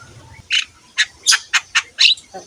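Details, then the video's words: Javan myna in full song, recorded as a training tape for other mynas: seven harsh, rasping bursts spaced about a quarter second apart, the last one lower and buzzier, over a faint low hum. "KICAUAN BURUNG JALAK KEBO GACOR"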